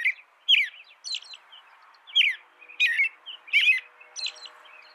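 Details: American robin song: a series of bright, slurred whistled phrases mixed with higher squeaky notes, over a soft steady background hum.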